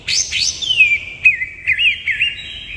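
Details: Greater green leafbird in 'nembak kapas tembak' singing: high sweeping whistles slurring downward, followed by a wavering, looping series of liquid warbled notes held at a steady pitch.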